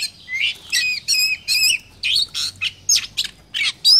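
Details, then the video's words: Lure song of an Oriental magpie-robin in Vietnam, meant to trigger singing in other birds: rich looping whistles and downward slurs, then quicker chirpy notes, phrases evenly spaced about every quarter second, over a soft low hum. "Kích chim chích chòe than hót , tiếng chỏ mồi hay nhất Việt Nam"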